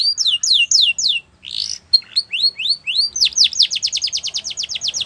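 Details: Yellow canary in the wild delivering varied song: a few slow descending whistles, a brief buzzy burst, rising chirps, then an accelerating run of sharp repeated notes building into a fast trill.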